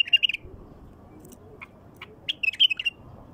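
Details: Wild bulbul singing, a recording used to prompt wild bulbuls to sing: a rapid whistled phrase opens, sparse clicks follow, then a second bubbling, warbled phrase over soft low noise.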